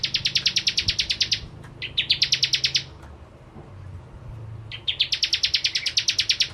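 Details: Bar-winged prinia (Prenjak Jawa) lure song: three fast runs of harsh, buzzy, high pulses, each lasting one to two seconds, over a low steady hum in the background.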